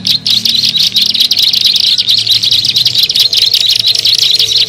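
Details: Bar-winged prinia call used as a bird lure: dense, rapid high chirps repeated in an almost continuous run, with a faint low hum underneath.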